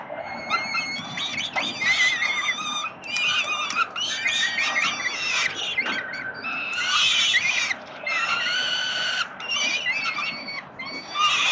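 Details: Over about eleven seconds, peregrine falcon chicks fed by their father at Collins Street, Melbourne, Australia, on 30 October 2021 keep up bursts of harsh, harmonic begging squeals with brief gaps between them.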